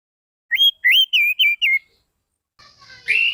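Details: Orange-headed thrush lure song meant to prompt silent birds to sing: five short whistled notes, each a quick rise and fall, delivered at a brisk pace, followed by a softer, buzzier burst ending in a loud rising whistle.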